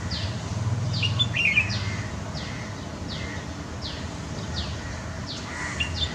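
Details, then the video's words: A pair of red-whiskered bulbuls in Kolkata, West Bengal, India, recorded April 10, 2020, with one giving short, bright downslurred notes about every half second over a steady low rumble of background noise. "Red Whiskered Bulbul"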